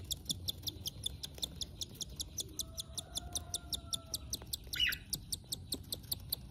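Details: A cockatiel chick being fed by its parent gives rapid, rhythmic high squeaks, about three or four a second.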